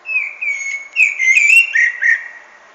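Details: Common blackbird singing a rich, fluted phrase of clear whistles held mostly steady, swelling in the middle and ending in a few lower slurred notes, with faint high twitters above.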